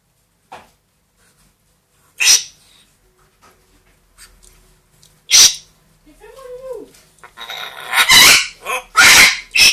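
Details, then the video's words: A 2-year-old grey parrot and a 1-year-old Amazon parrot, which talk, sing, mimic sounds and scream, give harsh hissing bursts and sneeze-like noises at uneven intervals with a brief arching vocal sound, bursts crowding toward the end. "quelques mot et bruitage des perroquets"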